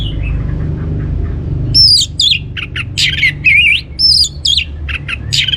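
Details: Teaser song of an orange-headed thrush, played to get other birds singing. A faint stretch gives way to rapid, buzzy, twisting high phrases that alternate with brief pauses, all over a steady low hum.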